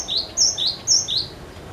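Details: Cinereous tit singing persistently, a recording used to prompt other birds to sing: high whistled two-part phrases, a thin upper note sliding into a lower one, repeated three times in quick succession.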